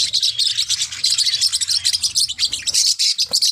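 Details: Constant high-pitched chattering of Forpus parrotlets, quick squeaky tweets tumbling over one another in an unbroken chorus, with a soft low hum underneath and a brief click near the end.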